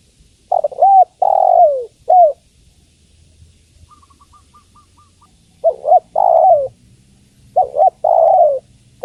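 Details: Spotted dove female calling the male with three repeated coo phrases, each a short double note, a falling drawn coo and a clipped end; a quiet series of faint soft pips sounds between them.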